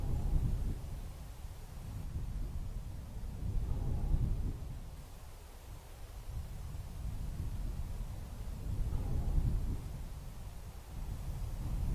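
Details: Low rumbling wind buffeting the microphone, rising and falling in gusts, with no animal voice heard.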